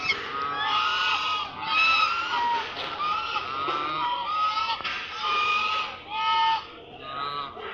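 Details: Loud ducks call without pause: a dense, chattering mass of raspy, honking notes from many birds at once, rising and falling in intensity.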